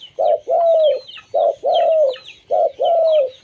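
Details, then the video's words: Local zebra dove song used to lure other zebra doves: short note then longer falling coo, pairs repeated about every 1.2 seconds, with faint chirps of other birds above. "suara burung perkutut lokal"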